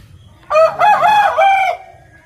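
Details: Rooster crowing once: a loud, hoarse, rich-toned cock-a-doodle-doo in three joined segments lasting just over a second, the last part held and then trailing off, against quiet low background noise.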